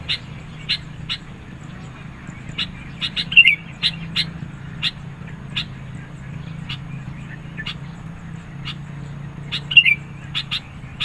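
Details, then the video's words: Sooty-headed bulbul in persistent song, meant for luring birds and pressuring rivals: scattered crisp chips through the recording, two brighter warbled bursts, and a faint low droning background. "SUARA BURUNG KUTILANG GACOR NGOTOT. MENEKAN LAWAN, CEPAT RESPON.."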